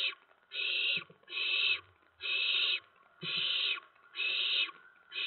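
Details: Owlets in a nest in the small hours of 10 September 2017 during food deliveries; long harsh screechy hisses about once a second, each fairly uniform, with brief soft bumps.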